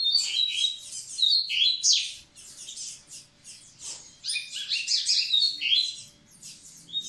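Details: Double-collared seedeater singing to get the females ready for breeding: bursts of fast, high twittering notes with sharp whistled slurs, separated by short pauses of about half a second, quiet background.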